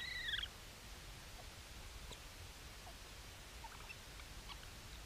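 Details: Bermuda petrel at Nonsuch, recorded 24 March 2020, gives one brief, high, downward-sliding cry, followed only by faint background hiss and a few soft ticks.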